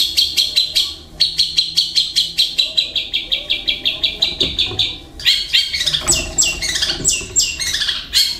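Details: Long-tailed shrike in a cage, singing imitations of other birds including kingfisher and fighting sparrows; a steady string of clipped chattering notes gives way to faster, descending sharp twittering notes near the end.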